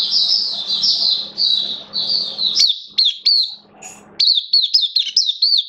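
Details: Oriental white-eye kept as a cage bird, recorded 11 September 2022, form slightly down: a run of drawn-out high warbles, then crisp, separated chirps with sharp upward flicks.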